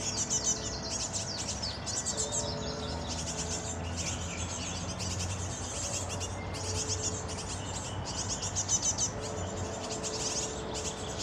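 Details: Adult great tits (Parus major) feeding fledglings; high, rasping chatter repeated in pulsing bursts of a few seconds, with a steady low hum and faint background noise beneath.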